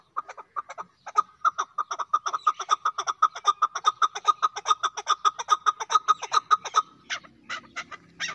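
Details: Chukar partridge (chakor) calling: a long run of sharp, rhythmic clucking notes, a bit more than two per second, steady and even, ending in a few louder, harsher notes.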